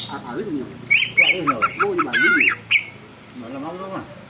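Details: Greater green leafbird singing actively, prompting other leafbirds to join in and grow agitated. About two seconds of loud, squeaky, whistled notes that rise and fall in quick, uneven bursts. A low, speech-like voice is heard before and after.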